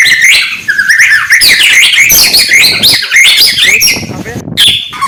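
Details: White-rumped shama (murai batu) singing in the morning with quick high chirps and twittering whistles, closely packed in an energetic, continuous stream.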